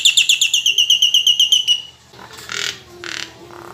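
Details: Caged Nias hill myna kept at home, its song used to prompt other birds to sing: a fast run of about eleven bright, ringing notes in under two seconds, followed by harsher, noisy rasping bursts and a faint low tone.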